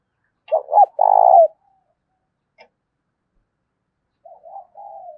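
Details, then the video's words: A spotted dove lure of the 'thổ' voice type calls to provoke rival doves into cooing. Two clipped notes lead into a loud, rough coo, followed later by a soft, wavering trailing phrase. "Chim Cu Mồi Gáy Kích Chim Gáy Hiệu Quả Hàng Ngày, cu gay kich boi nhanh noi gù"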